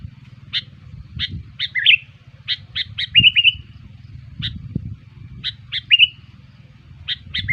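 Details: Sooty-headed bulbul lure call meant to attract other bulbuls. Loose series of crisp chirps, some joined into short slurred phrases, scattered over seven seconds above a rumbling low hum with occasional thumps.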